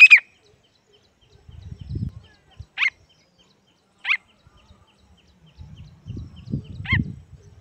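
A pheasant chick gives four thin, high, downslurred peeps spaced a second or more apart, with low handling rumbles between them.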